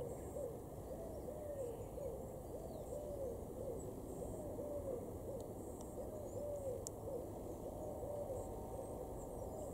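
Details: Eurasian Collared Dove in a garden in Weener, East Frisia, far northwest Germany, in May, coos in soft, hollow, low notes, repeating its phrase steadily over a constant hiss of background noise and a faint steady hum.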